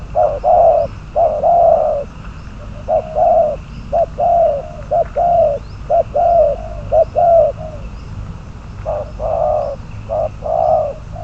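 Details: A spotted dove used as a trapping decoy, bird number 22, gives repeated cooing phrases of short and long low notes. A pause comes partway through before the series resumes.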